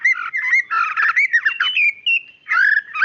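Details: Female white-rumped shama calling the male with clear whistled phrases, some rising and some falling, mixed with short warbled notes and a brief pause before a final bright, rising whistle.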